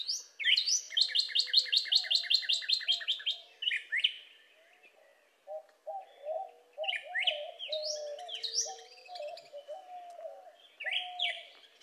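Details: Cardinal singing: a fast run of about a dozen clear, downslurred whistles repeated evenly, then slower, spaced slurred whistles rising and falling. A soft lower warbling runs underneath.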